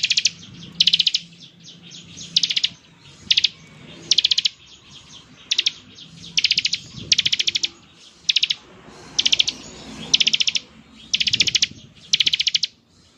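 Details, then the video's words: Bar-winged prinia in energetic ngebren song, meant to make other prinias answer: a long run of rattling high bursts, each of several rapid clicks, repeated about every 0.7 to 1 second with little pause. "ciblek gacor, suara NGEBREN seperti ini paling ampuh bikin ciblek IKUT nyaut"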